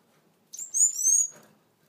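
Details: Blue Gouldian finch, feeding and interacting, gives one thin, high whistled phrase of two drawn-out, slightly falling notes lasting under a second against a quiet background.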